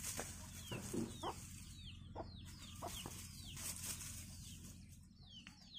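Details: Village chicks following their mother hen in search of food: repeated high, falling peeps from several birds, mixed with a few low clucks and short rustling scratches on the ground.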